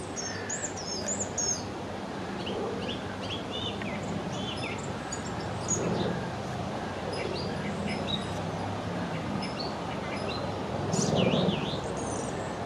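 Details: A song thrush singing from a tree beside the Long Water: short, varied whistled and chirpy phrases in quick succession, some high and sweeping, over a steady low rumble.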